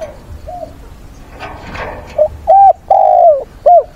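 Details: Decoy spotted dove, recorded on a weekend dated 6/9, calling mates with fighting song to provoke wild birds: after a brief rustle, a crisp coo phrase of a short note, a longer note, a drawn-out falling note and a short clipped ending.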